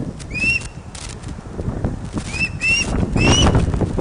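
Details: Osprey at the Loch of the Lowes nest, Scotland, during a large fish delivery on the afternoon of 31 August 2013, from a webcam. A few short rising whistles are scattered through heavy low rumbling and handling noise.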